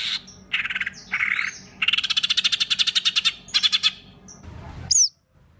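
A songbird gives harsh, buzzy bursts, then a fast rattling run of about ten notes a second. It ends with a thin, high, rising whistle.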